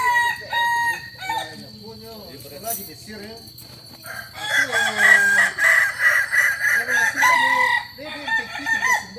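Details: Kokok Balenggek roosters from Solok, West Sumatra, a village chicken set apart by crowing in stacked levels. Several crows overlap: softer wavering notes first, then a loud, sustained, stepped crow lasting about four seconds.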